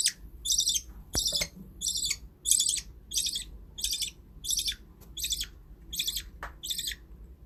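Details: Budgerigars kept as pets calling in a rapid series of scratchy chirps, roughly eleven in under eight seconds, almost evenly spaced, with a faint click early on and low room hum beneath.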